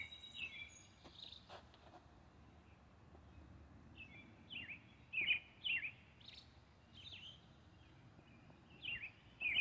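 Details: European robin singing in the early evening: thin, high, varied phrases of short trills and sweet notes, broken by irregular pauses, over a soft outdoor hiss.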